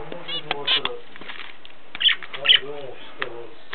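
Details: Pet zebra finches kept by a hobbyist in Ulaanbaatar, Mongolia, giving short nasal, harmonic calls in scattered bursts, some brighter beeps near the two-second mark, with low indoor rumbling beneath.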